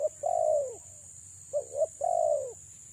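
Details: Female spotted dove kept for luring delivers a long burry descending coo, then a pair of short notes and another long rolling coo, over a persistent high electronic tone.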